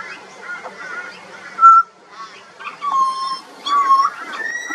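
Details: A juvenile pied butcherbird sings a varied sequence of rich, mellow, fluted notes. Some are held and level, while others bend up or down, with short gaps between the phrases.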